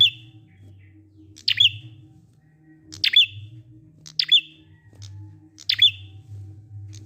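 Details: Indonesian prinia ngalun song, played to get quiet prinias singing along: high snapping chirps with a brief buzzy tail, repeated about every one and a half seconds, with a faint low hum underneath.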